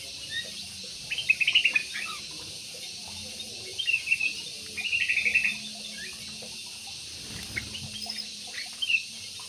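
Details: Jumbo parakeet in an aviary giving short pulsed chirp bursts, each a rapid rattle of notes, repeated a few times with pauses, plus a last single chirp.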